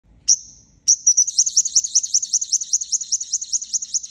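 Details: Sunbird lure call used to attract birds for trapping: one thin, very high note, a short pause, then a fast, slightly wavering trill of high twittering notes lasting about three seconds.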